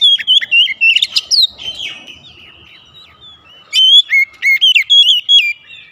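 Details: Morning song of an Oriental magpie-robin: a jumble of quick whistled twists and chirps, a softer pause with faint rustling, then another bright, bouncing run of whistles.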